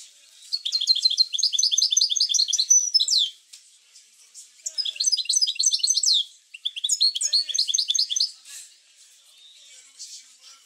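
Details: European goldfinch song for stimulating goldfinches to sing: three long phrases of rapid high twittering and tinkling notes, each a couple of seconds long, separated by quieter pauses.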